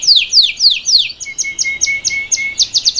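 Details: Salsa canary singing for a young bird, with loud descending swept notes followed by quicker short high notes over a thin steady lower whistle.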